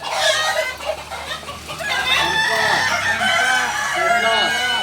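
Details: Kukuak Balenggek chickens, a singing breed native to Solok, crowing in a dense chorus: several long, ringing harmonic crows overlap throughout, with short arched clucks underneath and a low hum of voices.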